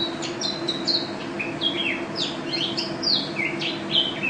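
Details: Mountain white-eye, a national first-place champion bird, singing actively in ropel style: short high chirps and sliding whistled notes, some rising and some falling, scattered irregularly over a steady low mechanical hum.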